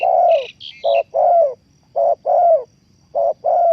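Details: Loud, steady run of spotted dove coo phrases from a trapping decoy, each a short hoot and a longer falling coo, about once a second. Higher chirping notes open the clip.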